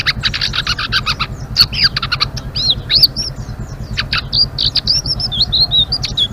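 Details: Blue-winged leafbird singing nonstop: clusters of fast staccato chirps give way to looping high whistles and twittered phrases in ngeriwik style, with a persistent low hum beneath.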